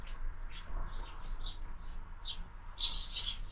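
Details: Morning sparrows gathered at a feeder fixed to a window; a run of quick chirps, ending in a louder, denser cluster of tweets.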